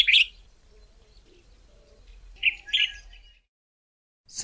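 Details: Cape Bulbul in the southern Karoo, South Africa, giving short, liquid, bubbly notes: one at the start, then a quick pair of mid-pitched phrases, followed by a burst of human voice.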